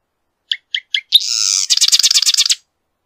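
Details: Song of a marsh wren: three quick dry clicks, a sustained buzzy hiss, then a rapid stuttering trill of about a dozen scratchy pulses.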